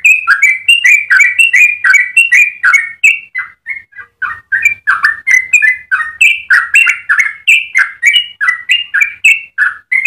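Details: Yellow-vented bulbul delivering a long, melodious song used to train other bulbuls; a rapid, continuous stream of bubbly whistled notes, bouncing up and down, about three per second, barely pausing.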